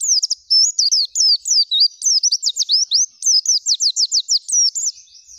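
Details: Oriental white-eye singing nonstop, gacor full isian with nembak and ngerol zipper phrases: dense, very high twittering whistles and quick repeated trill notes filling the whole stretch.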